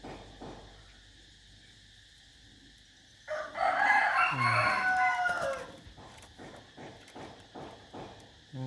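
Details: Chicken crowing: after about three seconds of quiet, one loud, harsh, drawn-out crow lasts roughly two and a half seconds, rough and strained in tone, then fades into faint clicking and low background noise.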